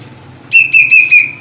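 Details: Caged plaintive cuckoo giving a quick run of four clear whistled notes, each slightly lower than the last.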